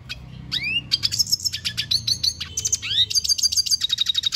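Red Siskin singing a fast, high twittering song of rising slurred whistles and rapid buzzy trills, with a faint low rumble behind.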